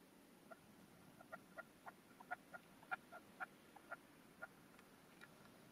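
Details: Male red-legged partridge used as a caged decoy, calling from its stand to wild hens in the field with a 'canto de mayor' of four to five strokes; sharp, clucking chuk notes repeated about twice a second in irregular bursts.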